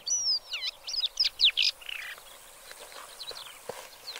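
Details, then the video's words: Black lark song: a burst of quick, sharp, sweeping whistles and chirps in the first half, then fading into softer, scattered notes against a faint background. "Как поёт чёрный жаворонок?"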